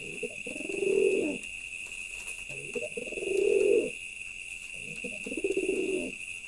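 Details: Low, throaty cooing from a male pigeon comes in three long rolling phrases, each rising and fading over about a second. A constant high-pitched tone hangs in the background.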